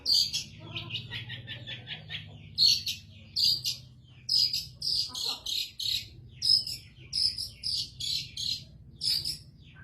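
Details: A caged long-tailed shrike sings briskly once its cage cover is lifted: an opening rapid chattering trill, then crisp high whistled chirps repeated in bursts roughly every second, with a steady low hum behind.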